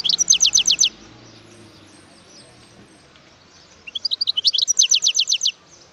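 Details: Two bursts of wild European goldfinch song separated by a pause, each a rapid string of sharp high descending notes, the second preceded by a few rising chirps.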